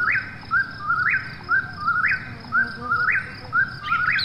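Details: A nocturnal Eastern whip-poor-will gives steady, clean whistled phrases about once per second, each a brief low note sliding up into a sharp rising flourish.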